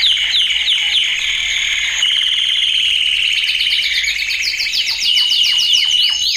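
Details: Loud male canary training song: a sustained rolling trill shifts pitch around the midpoint, then breaks into rapid repeated falling chirps near the end, over a faint continuous high whistle.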